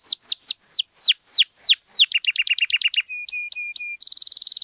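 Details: Canary song to get silent canaries responding: repeated falling whistles, quick clipped chips, level whistled tones, ending in a fast buzzy rattle.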